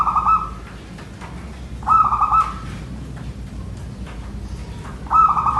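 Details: Male local zebra dove with a small, crystal-clear, far-carrying voice, close to a female's but without giggling notes: three short trilled coos roughly every three seconds over low background hum.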